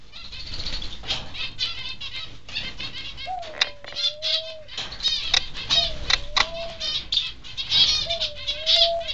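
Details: Wingbeats of Peaceful Doves in an aviary shared with finches and other doves: dense, uneven flapping bursts mixed with chattering finch calls, and a smooth low cooing phrase repeated three times in the second half.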